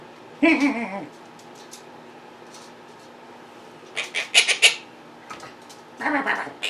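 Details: Indoor pet monk parakeets mimicking and calling: one drawn-out wavering squawk, a long pause with faint clicks, then a quick rattling cluster of sharp calls and a final raspy burst.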